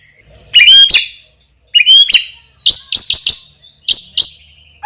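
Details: Champion white-rumped shama with a loud, forceful voice, singing a richly filled song of bright whistled phrases and clipped sharp notes in short bursts roughly every second.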